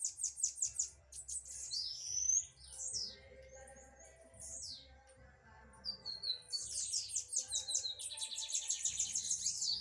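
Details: Blue-black grassquits in a dispute, giving bursts of high, sharp, buzzy chirps at the start and end, with scattered thin slurred notes between and a steady low hum in the background.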